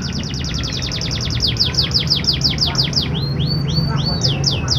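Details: Canary singing to stimulate reluctant canaries: a quick run of repeated sweeping notes that slows into spaced, rising-and-falling whistled slurs, with a low hum underneath.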